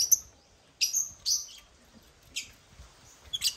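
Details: Captive African lovebirds (Agapornis) at a millet feeder shaped like a toy crane: sharp, high chirps in short bursts, about five separate notes spread over a few seconds, with quiet gaps between them.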